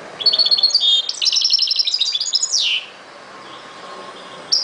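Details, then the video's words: European goldfinch twittering song, a fast jumble of bright chirps and trills for nearly three seconds, closing with a drawn-out buzzy descending note before quiet. "chant de chardonneret"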